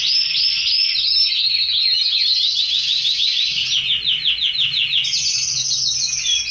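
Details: Caged red canaries; loud, dense warbling with rapid trills and chirps, shifting to a higher sustained trill near the end.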